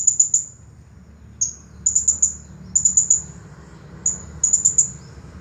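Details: Blue-crowned hanging parrot, a champion singer, in the 'Nagih Hutang' song style: shrill, piercing high notes clustered in rapid triplets and quartets, each burst about a second apart, with an occasional single note between them.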